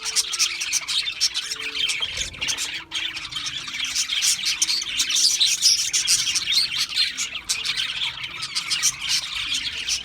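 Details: Budgerigars chirping rapidly, roughly four notes a second in an irregular, high, scratchy chatter, with faint low tones in the background early on.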